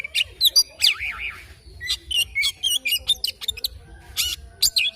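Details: Oriental magpie-robin in morning song, pouring out rapid, varied phrases of sharp chips, slurred warbles and short whistles with hardly a pause.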